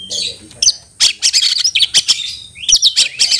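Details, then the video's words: Oriental magpie-robin (kacer) calling a rival to fight, with tail spread and full emotion: sharp chirps and buzzy high notes in quick bursts, several short rasping strokes repeated about every quarter second. "panggilan kacer mencari lawan tarung"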